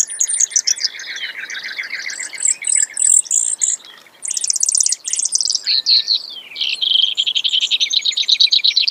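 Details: Brewer's sparrow in a run of varied trills: high rapid buzzes alternate with lower, slower rattling series and brief downslurred notes, switching pitch every second or so.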